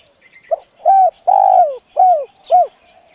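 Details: Spotted dove used as a lure for wild doves, cooing clearly. The phrase is a brief lead note, a full coo, a long sagging coo and two short falling coos. Light chirps sound faintly in the distance.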